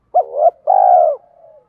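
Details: Single phrase from a spotted dove with thổ-style challenge cooing for training decoys: a short bent note swelling upward, a pause, then a long smooth coo fading into a soft tail.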